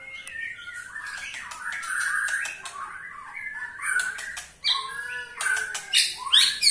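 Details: Caged white-rumped shama (murai batu) in Indonesia giving a ketrekan, a rattling call used to spur other shamas into song; rapid mix of clicks, harsh chatters and slurred whistles, with fluttering noises.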